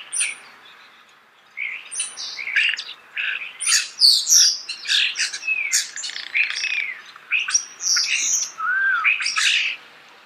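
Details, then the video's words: Close-range starling song: quick run of varied squeaks, clicks, whistled slurs and harsh chirps, about three notes a second, starting after a short quiet gap, in a calm natural soundscape. "The song of the starling"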